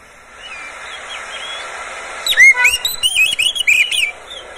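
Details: Caged Oriental magpie-robin kept by its owner, singing as a lure to prompt other magpie-robins to sing; after two quiet seconds, a rapid burst of loud, varied whistled notes, sharp upswept phrases and short trills over faint background hiss.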